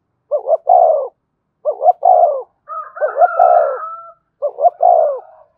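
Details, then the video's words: Lure spotted dove cooing to make a newly caught caged bird call. Four low, rolling coo phrases come at steady intervals, with a higher drawn-out tonal call overlapping the third phrase. "Tiếng chim cu gáy kích bổi nhanh nổi, cu gáy mồi luyện bổi thúc sung nhất hiện nay"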